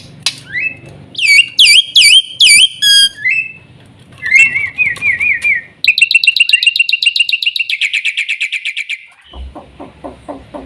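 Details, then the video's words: Black-winged myna song mixing loud rising and falling whistles, a wavering warble, then a fast train of harsh repeated notes before soft clicking. "burung jalak putih"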